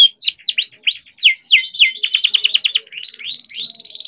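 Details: Young captive-bred canary singing continuously with rolling phrases, used as a lure to prompt young or silent canaries to sing: rapid downward-sweeping whistled notes, then buzzy trills and a steady rising whistle, all high-pitched.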